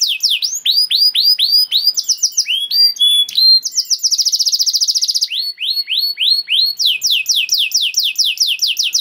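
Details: Varied canary song for training young canaries: falling whistled notes, a sudden buzzy high trill, then repeated descending phrases at a quick pace.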